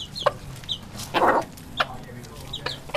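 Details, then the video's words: Chickens eating, with a loud clucking burst in the middle. Short high chirps and sharp pecking clicks are scattered around it, over a steady low background hum. "Chickens Eating And Making Funny Noises"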